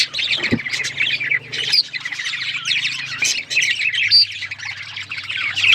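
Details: Budgies warble and chirp with squeaky, rising whistles and chattering notes, plus a brief thump early on and a low background hum.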